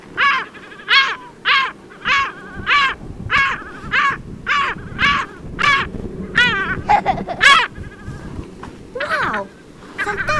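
Caspian Gull giving a long run of loud, harsh, nasal calls, about seventeen in ten seconds, some bending up and down, over a low murmur of background noise.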